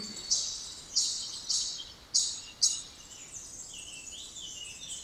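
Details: Spotless starling with a run of five short, bursting buzzy notes at even spacing, then softer wavering whistles at lower volume.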